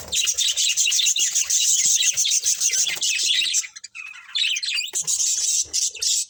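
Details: Many budgies chatter loudly and continuously in a colony, a dense wall of high scratchy chirping that drops out briefly midway, then resumes in strong bursts.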